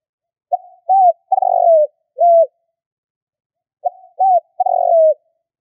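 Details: Spotted dove coos serving as a hunting lure. Two phrases about three seconds apart, each a faint lead-in, a bowed hoot and a longer buzzy coo dropping in pitch. The setting is otherwise quiet.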